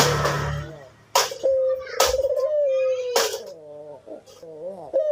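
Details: Cinnamon-headed green pigeon in active song, a steady mid-pitched whistle held for about two seconds and then trailing into softer wavering notes, between loud sharp knocks and bursts of noise.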